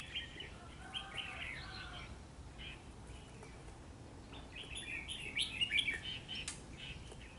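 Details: Red-whiskered bulbul used in trap fighting, facing a trap bird on a cold rainy day: bursts of bright, chattering chirps in quick, uneven runs, loudest near the end, over steady low rumbling background noise.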